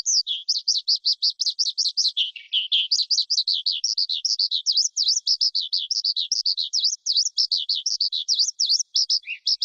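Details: High, rapid forest skylark song made of repeated V-shaped slurred chirps in a steady rattling stream that briefly drops lower, with a single low note near the end.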